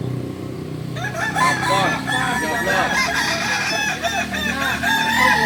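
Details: Kukuak Balenggek, the native singing chicken of Solok: after a quiet start, many arched, stepped crowing phrases pile up from several birds over a low background drone.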